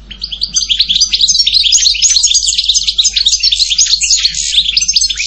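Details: European goldfinch singing a dense, unbroken torrent of bright twittering and chirping notes for over five seconds, rising in loudness after a quiet start.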